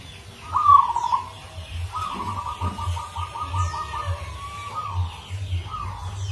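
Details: Local Indonesian zebra dove singing a rare, unusual rhythm used as a lure sound: a short cooing phrase, then a fast stuttering trill of mid-pitched notes, over a low steady hum.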